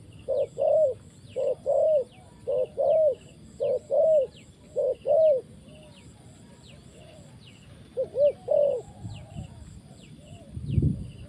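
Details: Spotted dove calling in a trapping setting in Cambodia, a series of soft mellow coos in short two- and three-note phrases repeated about once a second, with high thin chirps from other birds in the background.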